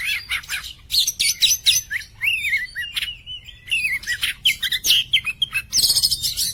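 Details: Oriental magpie-robin of the poci type, singing a clear, bright song used as a tutor for other songbirds; rapid varied phrases mix high buzzy chatter with clean whistled notes sliding and wavering around mid pitch, in quick bursts with brief pauses.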